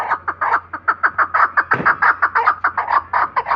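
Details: Chukar kept for hunting, giving a rapid run of harsh clucking chuk notes, about five per second, steady and evenly spaced throughout, with a faint low hum underneath.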